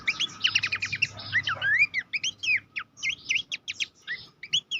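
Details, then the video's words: Master training song of Horsfield's babbler for contest birds. Dense bursts of sharp chirps alternate with clear whistled upslurs and down-curving notes in an irregular chattering flow. A low rumble sits under the first two seconds. "masteran mewah khas pelanduk semak cetak jawara dilapangan lomba"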